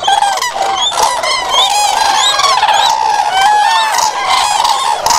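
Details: A noisy gathering of common cranes, rolling trumpet calls overlapping constantly, some wavering up and down in pitch, sustained loudly throughout with no quiet gaps.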